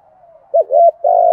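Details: Spotted dove cooing in a native-style voice, used as a lure for trapping. A soft low coo followed by a louder mellow, wavering coo and a sustained steady note, ending in a sharp click.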